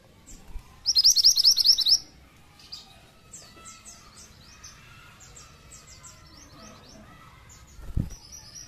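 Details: Pied triller song used as a lure for flocks of other pied trillers: a loud one-second burst of rapid, evenly repeated high chirps, followed by many fainter high chirps and twitters from other birds in the background.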